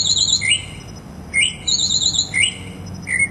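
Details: Mockingbird song of varied mimicked phrases: high wavering trills alternate with short rising whistled slurs, each phrase different, separated by short gaps over a quiet background.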